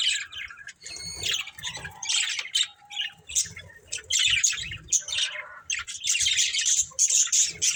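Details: A budgerigar breeding pair chatters almost nonstop: harsh, buzzy warbling with a few stacked whistled notes early on, over a steady scatter of low thumps.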